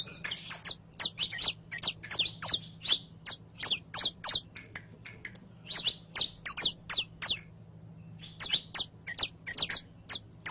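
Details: Captive saffron finch singing, recorded as training audio for teaching another bird to sing: fast bursts of sharp, high chipping notes, roughly two to three per second, with a brief pause near eight seconds, over a faint low hum.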